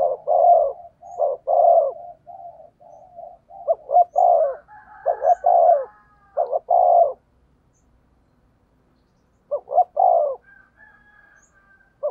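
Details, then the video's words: Spotted dove in the 'thúc gù' cooing style with a 'thổ sấm' voice, used to train and rouse decoy birds: low hollow coos in quick clusters of short notes and longer descending coos, a pause of about two seconds, then more coos. "tiếng cu thúc gù bài bản dùng tập mồi + kích bổi"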